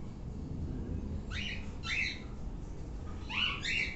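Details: Active pet sun conure making a run of short rasping chirps, first singly then in quick pairs toward the end, over a steady low room hum.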